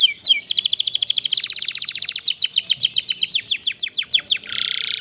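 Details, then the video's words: Master canary song for young canaries being taught long trills: a sweeping whistle opens a continuous rolling trill that slows into distinct downslurred notes, ending in a buzzy rattle. "kenari paud belajar bunyi jadi cepet gacor ngerol panjang durasi panjang dengan masteran ini"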